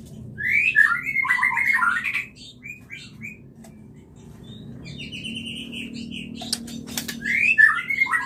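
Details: White-rumped shama giving its clear mating call, meant to encourage mating: a fast jumble of slurred whistles and chirps, a quieter stretch of high ticking notes, then another loud whistled flourish, with faint background hum.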